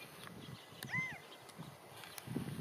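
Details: A California quail perched on a fence calls to others in its group: a single clear arched whistled note about a second in, over a low rumbling background.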